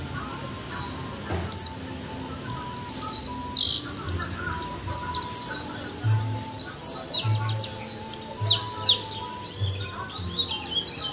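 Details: Japanese white-eye after a month in a cage, singing a long chattering 'líu choè' warble: fast, high, tumbling whistled notes in near-unbroken runs, with a faint low hum underneath.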